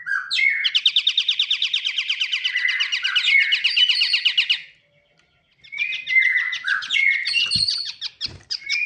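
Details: A chattering pied triller delivers a long, rapid trill of repeated buzzy notes for over four seconds, with interwoven whistled slurs. After a brief pause, a second varied phrase of trills and whistles follows, broken by two dull thumps.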